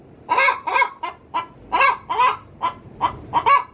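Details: Hen calling in her coop ahead of laying an egg, with a quick series of about ten raspy, rising-falling clucks, alternating louder and softer notes.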